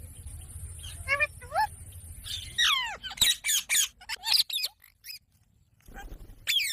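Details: Parrot chattering in fast, high, descending squeaks and chirps, several clustered bursts, with a low background hum at the start and a short quiet pause near the end.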